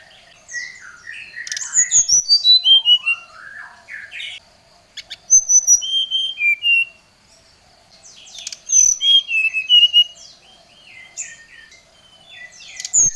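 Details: Brown-chested jungle flycatcher in agitated, rival-calling song: repeated bursts of quick descending whistles and warbled notes, three loud phrases spread across the recording with soft chatter in the gaps.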